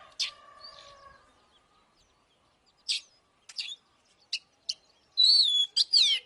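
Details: Oriental magpie-robin song used to provoke fighting: a low harmonic note opens, then scattered sharp high chirps and short whistled phrases with gaps, ending in a dense run of bright rising and falling notes.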